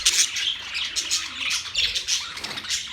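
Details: Many birds chirping together, recorded on October 3, 2023: dense, overlapping high twitters and short squawks pour out without pause, with brighter sharp notes rising above the constant chatter.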